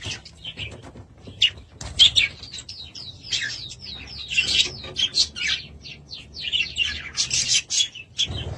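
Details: A pet budgie warbles a varied string of clear, high, quickly slurred chirps and rising and falling notes, some repeated, with short gaps between phrases.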